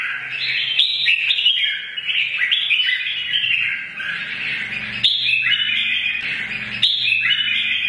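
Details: Old wild-caught red-whiskered bulbul in its combative morning song: warbling whistled phrases tumbling up and down, with strong new phrases starting around every two seconds.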